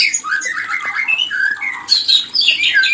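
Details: White-rumped shama mating-stimulation call: varied slurred whistles and harsh chatter running continuously, shifting abruptly to higher, scratchy notes midway through.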